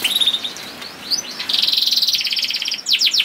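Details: Canary song used as a masteran to prompt kept canaries to sing: a hissy background, then a fast buzzy trill of rapidly repeated notes in the middle, and a few quick downward sweeps at the end.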